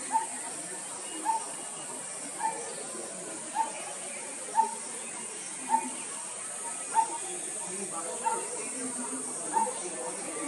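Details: Coppersmith barbet giving a steady series of short, hollow 'tuk' notes, one roughly every second, about ten in all, over a constant hiss.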